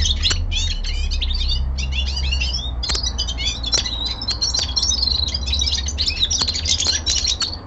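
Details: Winter song of a young male common linnet in captivity: choppy runs of clipped chirps give way to smoother twittering and a brief whistled trill, with occasional clicks and low indoor hum.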